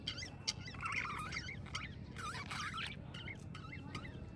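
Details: Budgerigars warbling in a busy chatter of short whistled, rising and falling notes and scratchy chirps, several overlapping, with low background hum.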